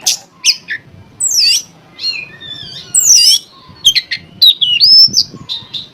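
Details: Lure song of an Oriental magpie-robin, meant to stir rivals into singing: descending swept whistles, scratchy rasping notes and quick chirps, ending in a sustained wavering whistle among dense varied phrases.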